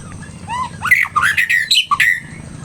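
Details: Agitated white-rumped shama pouring out a rapid, varied run of loud whistles, slurred squeaks and harsh chattering notes, backed by a low droning hum.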